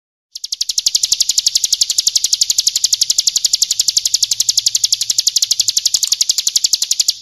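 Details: Bar-winged prinia singing in the 'kristal' style, full-variation song used as a tutor recording for training cage birds: one long unbroken trill of sharp, high, rattling notes, fast and even, running almost seven seconds.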